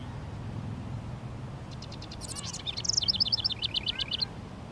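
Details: A male house wren sings to mark territory on a sunny, 19 °C spring day around Mother's Day in a local park, by honeysuckle and bushes: a fast, bubbling burst of high notes, scratchy chatter then rapid trills, over low rumble.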